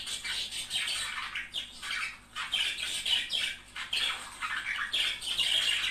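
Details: Budgerigar pair warbling and chattering, a sound meant to stimulate mating; fast pulsing squawks and chirps in uneven bursts throughout.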